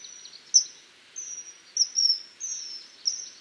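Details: Common kingfisher: a string of high, piercing, drawn-out whistles, some opening with a sharp accented click, repeated about every half second over faint background hiss.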